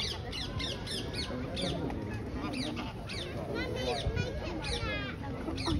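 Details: Wild rose-ringed parakeets in St James's Park, London, in April 2023, landing on tourists' hands and flying off, give harsh, screechy calls in quick overlapping bursts over people talking and crowd murmur.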